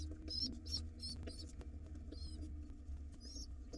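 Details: Wild pigeon nestlings fed by their father, uttering short bursts of high thin squeals in irregular groups with brief pauses, alongside light tapping and a low droning hum.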